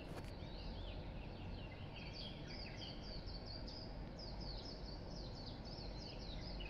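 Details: Dawn chorus of birds around 5 a.m. while still dark near a park; a sharp click at the start, then continuous high twittering and rapid chirped notes over steady low background hum.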